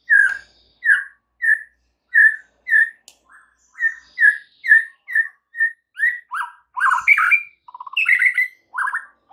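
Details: White-rumped shama song played to provoke other shamas: a steady string of short whistled notes about every half second, building into rich varied warbles and a low rattling trill.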